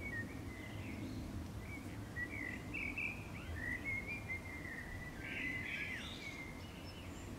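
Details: Wild common swift (Apus apus) at a house wall beside one of three nest boxes in summer, birds inspecting the boxes before a pair nested; shrill buzzy screams come in rapid overlapping bursts with a low background rumble.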